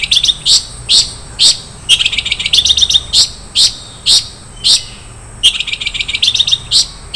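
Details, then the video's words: Long-tailed shrike giving rich 'isian mewah' filler song: loud, spaced high notes alternating with stretches of fast, buzzy twittering chatter. "SUARA BURUNG CENDET - ISIAN MEWAH"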